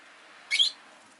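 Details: Pet rosy-faced lovebird giving one short shrill, slightly rising squeaky chirp over a low steady hiss.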